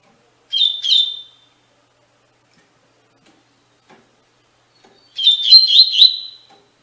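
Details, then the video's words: Double-collared seedeater performing the Tui Tui Fibra song, meant for tutoring captive birds: a brief two-note whistled opening, then after a pause a longer phrase of quick, ringing whistles. "Encarte para Coleiro e Baiano - Canto Tui Tui Fibra"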